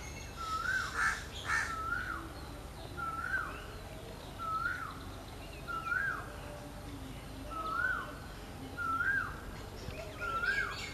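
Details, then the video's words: Jackdaw calling in a forest, recorded alongside crows: short, sharp, slightly rising calls repeated about once every one to one and a half seconds, some in quick pairs, over a steady low rumble of background noise. "Crow and Jackdaw crow sound in the forest."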